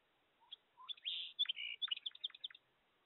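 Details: A Song Sparrow singing very early, before daylight while night vision is still on (dated 04 05 22): one two-second phrase of soft low opening notes, a bright buzzy stretch, then a quick jumble of sharp chips.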